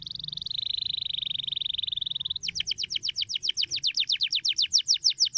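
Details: Canary song meant to get young canaries singing quickly: a steady, fast, high buzzy trill for two seconds, then a brisk run of clipped falling chirps at a quicker, uneven pace.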